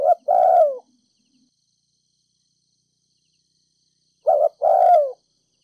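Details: Ninh Thuận spotted dove decoy bird giving 'thúc gù' coos in the 'đồng pha thổ' voice to stir up decoy doves: two phrases about four seconds apart, each a brief note followed by a longer descending coo, otherwise quiet.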